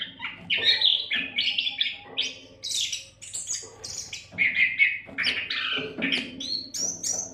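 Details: Continuous Oriental magpie-robin song used as a tutor recording for songbirds; a rapid, varied stream of whistles, rasping notes and high thin slurs with almost no pauses.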